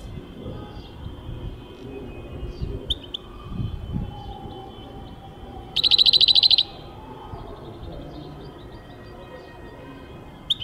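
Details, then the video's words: European goldfinch song from 2023: one loud, fast trill of rapidly repeated high notes lasting under a second, with a few scattered soft chips before and after over a low rumbling background. "goldfinch singing chardonneret jilguero singing"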